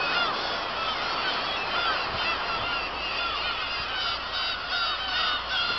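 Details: Many black-tailed gulls calling together at Kabushima after fireworks on 2 August 2012; continuous crowded mewing with quick drooping cries layered over one another and a few soft knocks.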